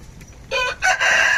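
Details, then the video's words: Aseel rooster crowing: a brief harsh harmonic note, a short break, then a longer sustained, slightly strained note that holds steady to the end, loud against a quiet background. "Beautiful Aseel Rooster Cute Noise"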